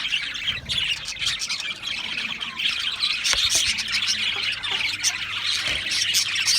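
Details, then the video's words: Group of Australian parrots chattering, a steady wash of overlapping chirps and grating squawks with a few louder sharp notes. "Beautiful Australian Parrots Chirping sounds"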